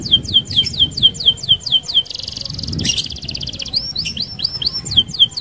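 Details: Canary in full, energetic rolling song used to prompt other canaries to sing: fast series of high whistled downslurred notes, a buzzy rattling trill mid-phrase, then quick repeated swept notes, with faint low background rumble.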